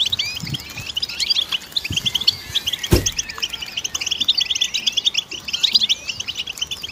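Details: Goldfinch delivering rapid, high twittering chirps and short trills in a steady flow, broken by one sharp click near the middle.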